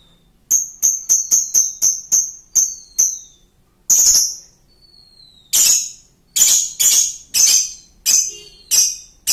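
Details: Lovebird giving a long laughing song used as a lure: a series of harsh, high, clipped chirps repeated quickly, then louder broad rasping bursts with a faint thin whistle between them.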